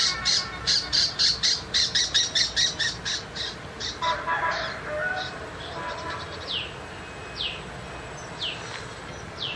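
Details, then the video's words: Tiger shrike in the countryside starting with a quick series of scratchy chatter notes, then softer mixed sounds, and ending with several thin, sharply falling whistles spaced apart. "Chim Bách thanh vằn ở vùng quê"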